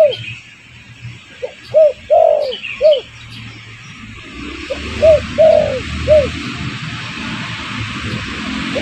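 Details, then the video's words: Spotted dove lure call to attract birds: a string of hollow arched coos in the first half, one noticeably longer, then a few more, fading under a rising broad hiss. "Suara pancingan burung derkuku"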